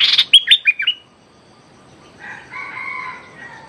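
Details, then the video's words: Streak-eared bulbul used as a decoy, calling at a captive female bird: a quick series of sharp, falling chirps in the first second, then quiet, with softer two-toned notes near the end. "เสียงต่อนกดอกแตงEp.167 จ้าวขุนศึกร้องริกใส่เชลย เชลยลูกเสอตัวเหมีย Suara pikat merbah lekir"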